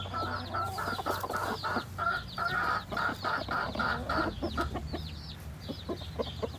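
A rooster gives a rapid run of soft, throaty clucks, about three a second, coaxing a hen toward the nest, over a low steady hum.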